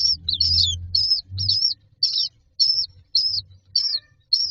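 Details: Common myna chicks in a nest box waiting to be fed call in short harsh rasping bursts spaced about half a second apart, over low background rumble.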